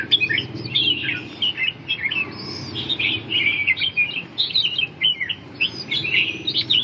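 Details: Chào mào, or red-whiskered bulbul, performing its 'ballet dance' display while giving a busy stream of clear, chirpy, slurred whistles in short bursts separated by brief gaps, over a low steady background rumble.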